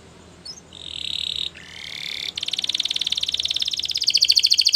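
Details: Belgian canary singing in the morning: a steady high whistled note, a brief buzzy phrase, then a fast rhythmic trill that speeds up and brightens toward the end.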